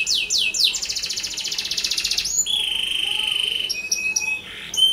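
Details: 'Gacor' canary lure song for prompting other canaries: a few falling swoops lead into a fast buzzy trill, then long level whistled tones and short chirps.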